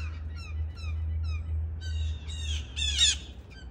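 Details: Early morning, a family of six blue jays waits for peanuts, with crows nearby. Clear descending notes repeat about every quarter second, then give way to louder, harsher, layered squawking bursts near the end; low hum persists throughout.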